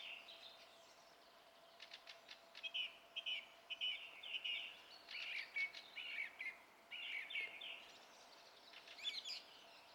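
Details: Song thrush singing, filmed on 27 April 2016: a series of short, clear whistled and chattering phrases separated by brief pauses, over a faint steady background hum.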